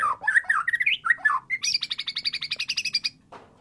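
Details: White-rumped shama song used to encourage a mute bird to sing: warbled rising whistles quickly giving way to a fast, even rattle of high repeated notes, ending in a short harsh note.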